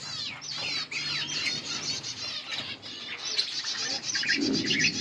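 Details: Yellow budgerigar pair warbling, wavy trilled chirps repeated over a steady background hum, with rustling toward the end.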